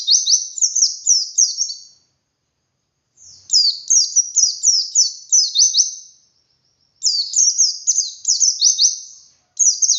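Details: White-eye (pleci) singing in wild-style 'ngalas' manner with 'wit wit' variation, used as a lure to prompt other white-eyes to sing; three bursts of rapid, high, downward-sweeping whistled notes separated by short silences.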